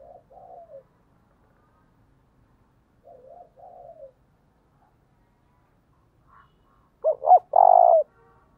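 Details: Spotted dove cooing in the intense 'thúc' style used to lure wild doves: two faint distant coo phrases early, then a loud close phrase of two short swelling hoots and a long steady low coo near the end.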